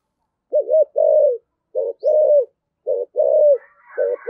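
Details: Spotted dove giving 'thổ sấm' style rapid coos: mellow low coo pairs, a brief hooting note then a longer descending coo, three phrases in even rhythm with faint chirping birds behind.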